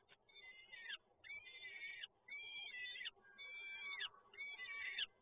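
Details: Peregrine falcon nestlings being fed, Toruń, Poland, 30 April 2022, giving a regular series of five harsh, whining, slightly falling wails, roughly one per second, over faint background hum.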